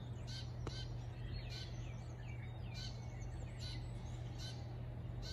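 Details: Sparrows at 07:35 on a morning in Shikokuchuo, Japan: faint, short high chirps repeated irregularly about once or twice a second, under a steady loud low hum throughout.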